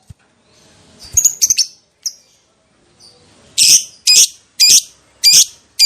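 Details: Lovebird, used as a lure to provoke other lovebirds into long ngekek: a few thin high chips, then a series of loud harsh screeches roughly every half second.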